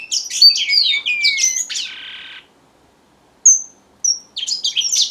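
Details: Red avadavat (strawberry finch) singing: a quick jumble of thin high twitters and descending whistles, a brief buzzy note, a pause, two pure whistles and more twittering.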